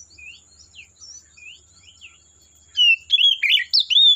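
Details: Oriental magpie-robin in the forest: quiet, scattered upslurred whistles from afar, then a sudden loud cluster of sweet sliding and buzzy notes near the end.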